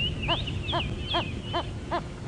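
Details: Wild red-crested korhaan calling at sunrise on 9 November 2016 around Djuma Game Reserve, a second bird answering during the display: rapid pulsed knocking notes repeated about every 0.4 seconds under thin wavering whistles, with steady low background rumble.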